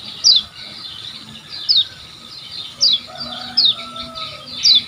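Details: Lemon-bellied white-eye from Lombok, recorded as a tutor for caged birds; single thin, high descending chirps spaced about one second apart over a soft, steady background.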